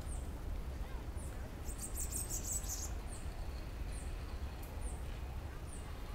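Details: A free, wild Bananaquit singing in a tree gives thin, very high ticking notes about once a second, with one brief buzzy, wheezy burst, over a steady low rumble of wind or traffic.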